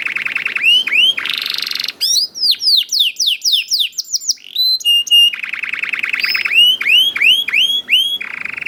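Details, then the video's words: Juvenile canary song played to spur other canaries to sing: a buzzy low trill, a harsh buzz, a series of falling whistles, flat repeated pips and a rolling trill. "KENARI GACOR DOR NGEDUR NGOTOT CUIT CUIT NGEROL AMPUH PANCINGAN KENARI PAUD"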